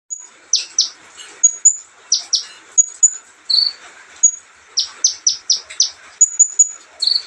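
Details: Olive-backed sunbird in a relaxed singing bout: very high, thin whistled notes mixed with quick sharp downward-sweeping strokes, delivered in clustered bursts about twice a second, with a faint hiss in the background.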